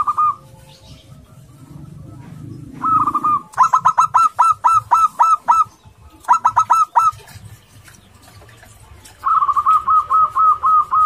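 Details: Local male zebra dove courting a female, aggressive enough to excite other doves: a short note, then several bursts of rapid hooked staccato notes, the last a long run of clipped coos, with faint low background noise.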